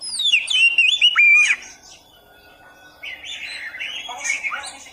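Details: Oriental magpie-robin song: loud descending and wavering whistles for about a second and a half, a quiet pause, then softer rapid chattering notes.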